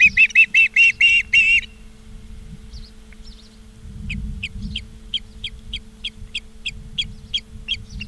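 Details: Osprey at a nest in Charlo, Montana, 17 August 2023 at about 16:04: a loud burst of six rapid whistled chirps, a brief lull, then a long, steady train of softer, clipped chirps roughly three per second over faint hum.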